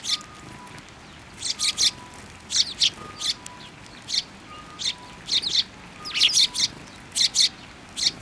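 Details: Flock of sparrows assembling in a plum tree at a Tenmangu shrine in February 2024, giving short sharp tweets in quick pairs and triplets, spaced by brief pauses, over a faint recurring tone.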